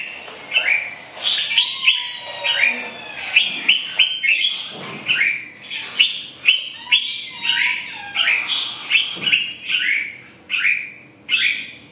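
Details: Red-whiskered bulbul repeating short, clear whistled motifs roughly every second, each a quick rising-then-falling slur, forming a steady chattering sequence.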